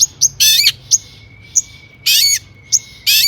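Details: Long-tailed shrike singing with mimicked phrases, a lure to prompt other shrikes to call: loud, harsh bursts alternating with thin sharp whistles, over a faint steady high tone.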